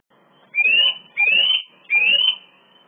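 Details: Male Eurasian nuthatch luring a female, wanting to nest in a swift nest box beside a balcony but driven off by swifts; three loud, clear upward-sliding whistles about two-thirds of a second apart, against a quiet background.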